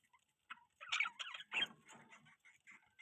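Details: Budgerigar chirping: a dense run of scratchy, warbling chatter with short rasping notes tumbling together over a few seconds.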